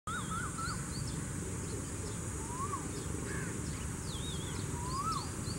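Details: Cuckoo, a female, singing: short whistled notes rising in pitch, several in quick succession and then spaced out, over a steady low rumble, with faint chirps from other birds higher up.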